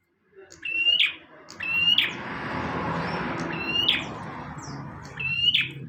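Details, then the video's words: Actively singing bar-winged prinia, a recording meant for tutoring songbirds, repeats four short phrases of a high level whistle with a buzzy accent, roughly one to two seconds apart, over continuous broadband background noise. "Burung prenjak tamu / prenjak omah gacor"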